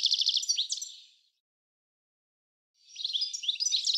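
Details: European goldfinch in a garden at Uddel, the Netherlands, on 10 April 2013: a bright, rapid twittering burst of high tinkling notes, silence, then another jangling phrase.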